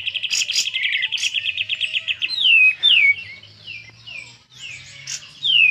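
A Sooty-headed Bulbul sings a fast, even run of high chirps for two seconds, then a series of clear, falling whistled slurs, with a faint low hum beneath.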